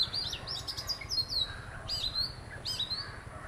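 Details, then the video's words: Oriental magpie-robin, one of a visiting pair, singing: short bright whistled phrases, high and sweet with slurred downward and upward notes, delivered in bursts roughly every second, over a faint low background hum. "Magpie Robin - Singing and Behaviour"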